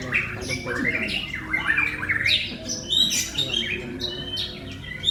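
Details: White-rumped shama song of ringing whistles, downward slurs and buzzy chatters, delivered in rapid energetic bursts with brief gaps between phrases.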